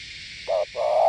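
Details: Spotted dove of Northwest Vietnam giving a gù (bo) coo: one short low hoot then a longer sustained note, over steady hiss.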